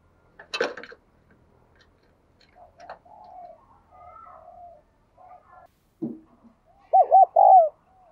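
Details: Spotted dove coo meant to set captive doves cooing: soft, faint coo murmurs and a rustling thump first, then a loud closing phrase of quick wavering notes and a drawn-out hoarse coo.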